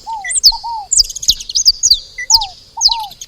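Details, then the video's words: Dense, overlapping high chirps from saffron finches at a feeder, each note sliding downward, mixed with a lower, drawn-out falling whistle that comes back twice. "Canário da terra fazendo barulho na seva"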